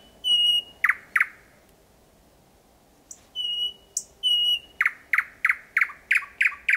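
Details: Close thrush nightingale, roughly 4–5 metres off, singing in darkness in Kiili parish, 8 May 2020: a clear sustained whistle with two clicks, a pause, another whistle, then a steady series of loud repeated chock notes.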